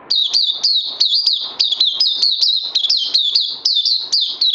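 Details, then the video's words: Oriental white-eye, a kept songbird on its second day of health supplements, recorded 31 May 2020, singing a fast, continuous high twittering of rapid rising and falling chirps, bursts run together with only brief breaks, no other sounds. "Puteh Crazy LG"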